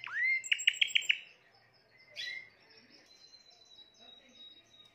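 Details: Timbrado canary, the seventh bird of the keeper's 2020 birds, singing: a rising whistled note, then a quick run of five bright repeated notes, a short buzzy burst, and a thin sustained high whistle fading out.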